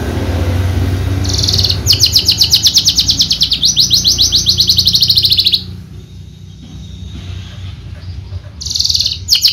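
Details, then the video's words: Horsfield's bushlark (javanica) kept for singing contests gives a loud buzzy note, then two long rapid high trills separated by a brief break, pauses, and resumes a pulsed burst near the end. "KICAU MERDU BRANJANGAN JAVA"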